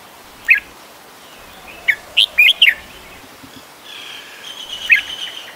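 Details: Adult red-whiskered bulbul in Ubon Ratchathani, Thailand, 16 December 2020; a lone sharp note, then a quick bubbly phrase of four chirpy notes, later another single note, with a faint steady hum from about four seconds on.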